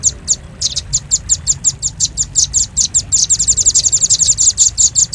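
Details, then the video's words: Velvet-fronted nuthatch used as a lure sound: high, sharp chips at first spaced, then quickening into a fast, dense rattle toward the end, over a low rumble. "Suara pikat burung rambatan paruh merah paling ampuh"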